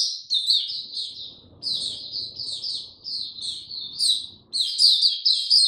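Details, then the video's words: Mata puteh, or Oriental white-eye, in an easy opening song, 2 May 2022: repeated high, sweet twittered phrases in short bursts with brief pauses, ending loudest, over soft low background noise. "Mata Puteh Hercules buka sing go slow n easy"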